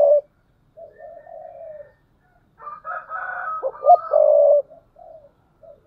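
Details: Spotted dove used as a decoy, cooing 'thúc bổi' style in 2022: a loud opening note, soft low coos, then a rough, rising phrase topped by a loud throaty coo and fading soft coos.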